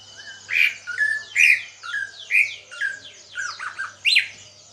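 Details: Caged greater green leafbird, bought two months earlier during heavy moult and now starting to sing: loud varied squawky phrases of slurred whistles and rasping notes, about one per second, over a faint low hum.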